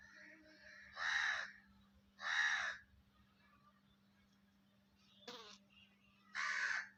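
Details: A 5-month-old black francolin gives three harsh, grating, buzzy call notes about a second apart, each dipping then rising slightly. A short sharp click follows, and a low steady hum runs underneath.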